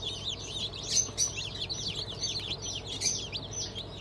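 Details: Chicks fresh from a 20 June 2023 hatch of Cream Legbar, Sussex, Sultan and Fizan chickens peep loudly together. Piercing, quick falling cheeps come in rapid, crowded bursts with small swells in volume and a faint hum underneath.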